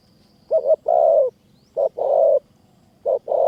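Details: Spotted dove cooing in high forest of Kanchanaburi, Thailand, during decoy trapping: three repeats of a soft low phrase, a brief two-note coo then a long rolling coo, spaced about a second apart.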